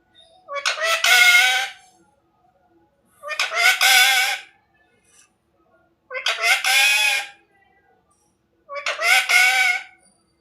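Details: Parrot imitating its owner's words repeats the same hoarse, harmonic, word-like phrase four times, about every three seconds, with quiet gaps between. The owner speaks affectionately in Hindi afterwards.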